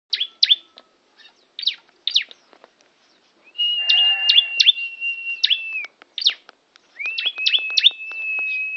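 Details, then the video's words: Tame bar-winged prinia singing at Kawali, Ciamis: sharp high chirps in quick bursts, then two long steady whistled trills overlaid with more chirps, with short pauses between phrases. "Burung Ciblek Jinak Gacor"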